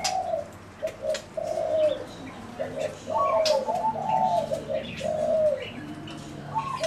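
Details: Zebra doves calling with quick, stuttering coos strung into brief rolling phrases, some slightly higher notes overlapping, accompanied by light high chirping in the background.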